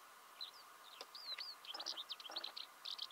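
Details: Eurasian skylark in Belarus, March 2016, early spring: short burst of high, chirping and slurred whistled notes tumbling quickly, over a steady low hum and faint background noise.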